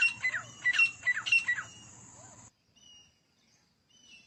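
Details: Partridges in a fight: a burst of loud, ringing, repeated call notes for about a second and a half, each with a sharp rising-and-falling whistle, then near silence with faint high tones.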